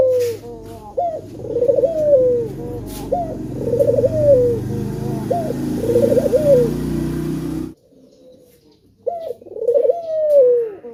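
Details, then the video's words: A male spotted dove uses a lure call to get other birds singing. It gives a steady series of rising-then-wobbling coo phrases over a low traffic-like rumble, with a short quiet gap before calling resumes. "Puter Jantan Yang Gacor Suara Pancingan nya Sanggat Menggoda"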